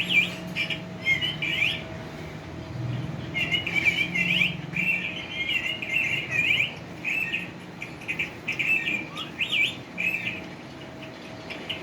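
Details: Green pet parrot, possibly a ringneck, kept in a cage and talking: rapid scratchy chattering bursts and squeaky phrases repeated through the clip, with a steady low hum and faint room noise.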